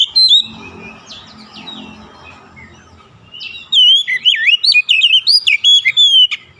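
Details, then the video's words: Oriental magpie-robin song used as a lure to get other magpie-robins singing: after about four seconds of quiet low rumble, a loud burst of rapid, wavering whistled notes with quick upward slurs, repeated almost three times a second. "APAPUN JENIS KACER PASTI TERPANCING LANGSUNG IKUT GACOR"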